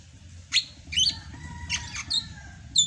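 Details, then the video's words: Rainy-season song of a greater green leafbird from Sumatra, sung in gacor style: a few spaced sharp whistled notes and slurs over a long, low, steady whistle. "MUSIM HUJAN CUCAK HIJAU SUMATRA MASIH BISA GACOR"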